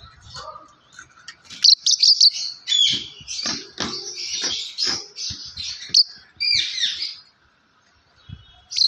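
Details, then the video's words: Pet yellow lovebird producing a busy run of high chirps and squeaky twitters, dense for several seconds, then a pause before one last burst, with faint clicks below. "Lovebird yellow chirping sound"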